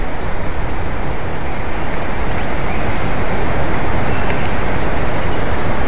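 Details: Loud, constant roaring noise like strong wind or rushing water fills the whole recording.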